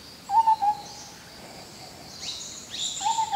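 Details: In forest, an Indian scimitar babbler gives clear, hollow, fluty hoots near one pitch, a quick pair, then another pair after a pause, over faint hissing insects.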